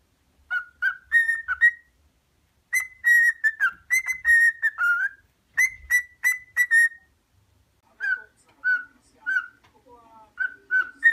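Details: A cockatiel whistles a learned pop tune, Queen songs, in clear, repeated phrases around one pitch.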